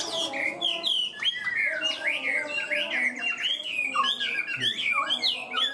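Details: Pet Chinese hwamei singing high and steadily from its cage; continuous fluid whistled warbling with quick rising and falling turns, loud and unbroken throughout.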